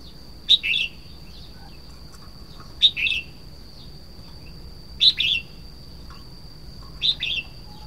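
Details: Red-whiskered bulbul giving a sharp high note followed by a short warble, the pattern repeated four times at roughly two-second intervals, over a faint continuous high whine.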